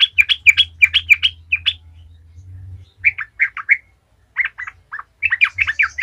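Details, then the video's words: Sooty-headed bulbul song in the 'gacor ngalas' style, meant to get other bulbuls singing: quick paired notes repeated rapidly, a short pause with low hum, then further groups of three or four clipped notes. "Trucukan gacor ngalas ahlinya bikin trucukan lain kepanasan langsung jadi gacor ngalas"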